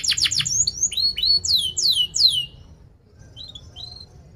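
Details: Canary singing sharp chirps for young canaries to learn from: quick downward-sweeping whistled notes in a burst, falling quiet, then a few faint high notes.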